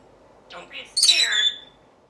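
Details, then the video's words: Talking parrot answering its owner during a playful indoor interview: a soft voice-like murmur, then a loud, high, raspy squawking utterance lasting about half a second. "Talking Parrot"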